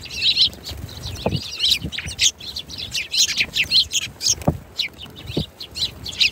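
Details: A flock of sparrows chirps rapidly and continuously, high tweets tumbling over one another, with a few low knocks and faint background rumble.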